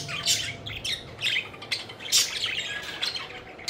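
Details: Several budgerigars kept as pets, playing and flying, give loud, harsh squawks and chirps in separate bursts every half second or so.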